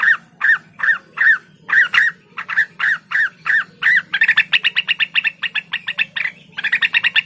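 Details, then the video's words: Blue-winged leafbird, locally cucak wilis, singing evenly spaced, squawky downslurred notes about twice a second, then speeding into a rapid ticking chatter broken by brief pauses. A low hum sits underneath. "suara burung cucak Wilis"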